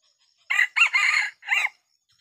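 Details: Crowing from a Red junglefowl decoy rooster in a small Sumatran oil palm plantation, set out to lure wild junglefowl: a clear, harsh crow in four quick segments, the last one separated by a short gap.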